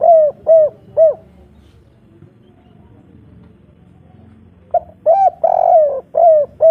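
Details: A spotted dove, local kuk 3 type, calls hard to a female. Three quick, mellow coos are followed by a quiet pause, then a fresh run of rounded, hooting notes, some of them slightly drawn out. Faint low background hum.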